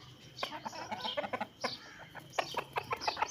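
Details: Chickens and a rooster heard as a flock: short clucks and squawks broken up and scattered irregularly, a few higher bursts on top, no full crow standing out.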